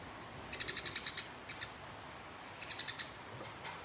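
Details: Fighting house sparrow stirring up a rival with long chattering: a rapid run of about eight sharp high chirps, a brief pause, then a shorter burst of five more, all over faint hiss.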